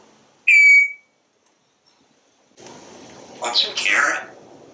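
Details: Talking pet parrot on a screened porch, watching squirrels and birds. A single loud, clear falling whistle comes first, followed after a pause by a raspy, speech-like vocalization.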